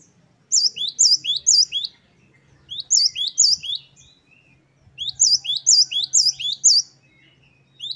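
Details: Great tit, 'wucit-wucit' song variation of a lively singer, kept as training song for caged birds. Three bursts of high, looping two-part notes, four to six per burst, with quiet pauses and faint low hum.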